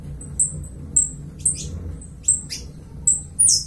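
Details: Uruguayan saffron finch giving spaced, thin, high whistled notes, each ending in a short sharp flick, repeated roughly every half second over a low background hum.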